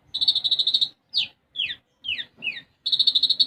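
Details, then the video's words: Sunbird in lively, persistent song: a fast buzzy high trill of even pulses, then four sharp descending whistled sweeps, then the high pulsed trill again. "Konin Gacor Isian Gereja"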